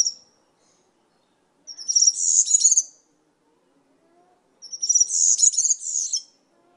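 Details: Two short phrases of European serin song, each just over a second long, are separated by a pause of about two seconds. Each phrase is a tight cluster of very high, glittering, buzzy notes.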